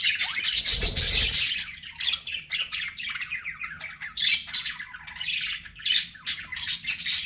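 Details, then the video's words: Budgies kept as pets squawk and chatter in rapid, uneven bursts; a dull low thump sounds near the start before the raspy warbling carries on. "BUDGIE SOUNDS"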